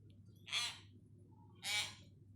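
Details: Hill myna learning vocabulary: two short, harsh, raspy bursts about a second apart, each bright and broadband like a spoken syllable, over a steady low hum.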